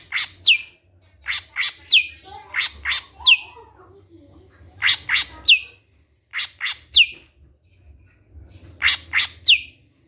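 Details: Greater green leafbird song used as a lure to draw other leafbirds into singing: three bursts of sharp, high chirps, each ending in a downward-sweeping whistled note, delivered in quick clusters of two to four.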